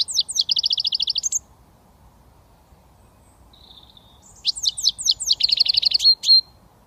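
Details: Young British European goldfinch just beginning to whistle, delivering a rapid buzzy trill, a pause with a soft thin whistle, then a burst of twittering notes running into another trill and a final bright note.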